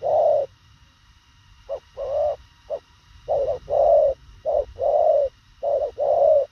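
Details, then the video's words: Thổ khàng spotted dove cooing rapidly. After a brief opening coo and a pause, it gives repeated pairs of a short note and a longer, rounded hollow coo, roughly fifty phrases a minute. "Thổ khàng tốc độ gù bá cháy, ngắn gọn xúc tích"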